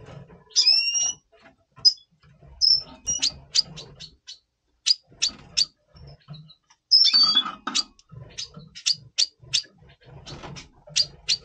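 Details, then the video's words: Red siskin in double pastel colour, singing in breeding condition before breeding, November 2023: a few drawn-out nasal whistles, then a fast series of short sharp high chirps repeated in quick rows, with faint low room noise. "Red Siskin 🦩Double Pastell 🔥FeuerZeisig before Breeding - Voice Brutstimmung"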